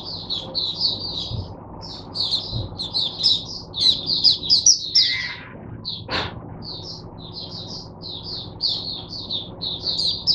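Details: Oriental white-eye, caged and used to teach song to other white-eyes, recorded Sunday 22 January 2022: rapid high chirping phrases, a brief pause near six seconds, with a few faint clicks and knocks behind.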